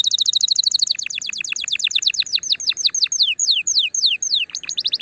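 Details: Song of a canary meant to stimulate a female and encourage mating: a rapid rattling trill slowing into a long series of sharp downslurred notes, spaced wider toward the end, with a faint background hum.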